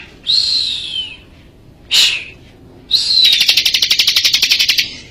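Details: Bar-winged prinia singing energetically in Majalengka: two high, clear whistles sliding downward, a short harsh burst between them, then a fast, even, buzzy trill of about twenty notes for nearly two seconds.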